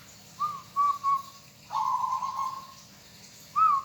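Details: Hobby-kept local zebra dove giving mellow whistled coos: two short notes, a long steady drawn-out note, then a rising opening note of the next phrase, with a quiet background.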